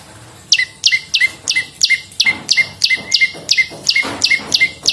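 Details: Olive-backed prinia (prenjak lumut) lure song for training songbirds: a fast train of sharp high notes, each a steep downward flick into a short flat tone, repeated about three times a second for four seconds.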